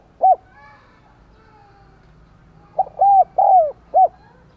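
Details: Spotted dove kept as a decoy, voice style 'đồng còi', calling hard to lure wild doves: a single bowed coo, a pause, then a four-note phrase of short and drawn-out mellow hoots.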